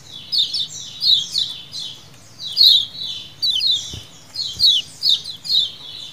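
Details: Lemon-bellied white-eyes calling together, a lure recording: high, falling chirps grouped in short bursts, a pause near the middle, then renewed chatter, plus a couple of faint low thumps.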